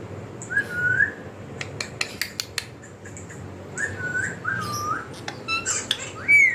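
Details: A pet talking ringneck parakeet gives short, rising whistled phrases and harsh, chattering syllables in a speech-like run, broken by sharp clicks and squawks over low room hum.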